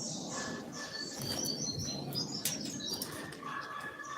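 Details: Double-collared seedeater, known locally as coleiro, giving the short tui tui song style: bright high whistled notes and short thin phrases repeated rapidly, with steady background noise and a few sharp clicks.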